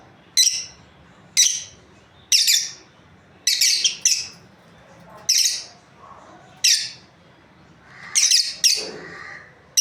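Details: Lovebirds, a breeding pair kept as pets, chirping: scattered shrill, rasping chirps, some doubled, separated by short quiet gaps, with a softer lower warble near the end.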